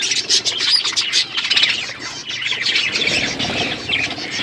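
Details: Budgies at their food, chattering in high bubbly chirps and warbles, with wing flutter and rustling throughout.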